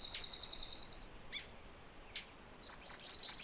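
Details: An even high trill and a few soft chips come first, then a MacGillivray's warbler begins a loud, rapid run of repeated buzzy notes that is cut off at the end.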